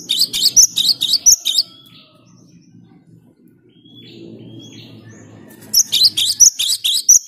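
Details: Loud gelatik batu (cinereous tit) song phrases: a rapid series of high piercing double notes, a quiet gap with a few faint thin whistles, then another quick burst of the same ringing notes.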